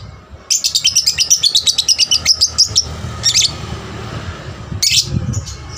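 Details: Young lovebird used as a lure to stir other lovebirds into singing; a fast run of sharp high chirps for about two seconds, then short shrill bursts separated by pauses, with a low room hum underneath.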